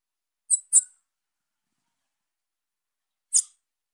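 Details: A young female Bananaquit calls with a quick pair of thin, high chips, then a long silence before a single final chip, in an otherwise quiet setting.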